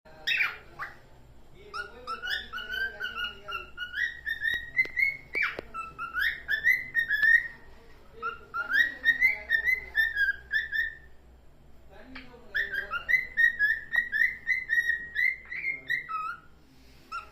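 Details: A red-eye cockatiel sings a run of clear, warbling whistles that rise and fall in long phrases.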